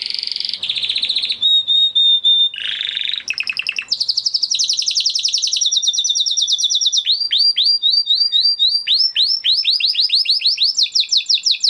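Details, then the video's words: Huppe (crested) Spanish Timbrado canary from 2020 breeding, kept in a flock, singing a training song: fast varied phrases of repeated chips, trills and downslurred notes, one steady whistled note near the start, with rapid rhythmic rolls throughout. "Do you have a Canary with a weak singing voice? Canary Singing Video"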